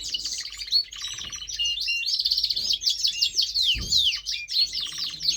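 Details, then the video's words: Canary kept as a pet, a singing male, delivering a loud run of rolling trills and quick rising and falling whistles, with faint soft knocks in the background. "Canary singing"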